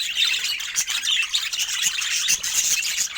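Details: Several pet budgerigars making soft, joyful sounds: a dense, continuous chatter of high chirps and squeaky warbles, with scattered sharp clicks throughout.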